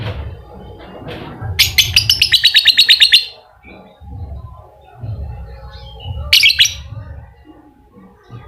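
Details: Lovebird ngekek lure for a lazy, silent bird: a fast burst of about a dozen harsh high chirps lasting over a second, then a quieter pause with low rumbling and a second short chirp burst near the end.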